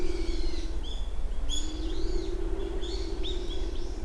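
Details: Japanese wood pigeon on Uwa Island, Kaminoseki, recorded 29 January 2024 between 07:00 and 07:10: a low, drawn-out moaning coo held steady, then a second longer one, under louder high chirping and whistling of small birds.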